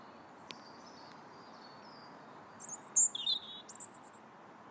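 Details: Robin singing in January, quiet at first with a faint click, then a burst of very high thin notes and short sliding whistles repeated rapidly near the end, over low background hiss.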